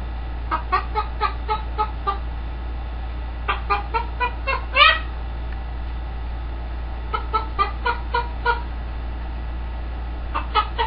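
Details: Pet green-winged macaw mimicking chicken clucks: three bouts of rapid, even cluck notes, with a louder squawk-like cluck closing the second bout. A low constant hum sounds in the background.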